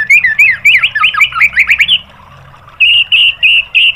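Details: White-rumped shama song meant for training caged birds, a rapid tumbling run of swooping whistled notes followed after a pause by four loud, evenly spaced clear notes.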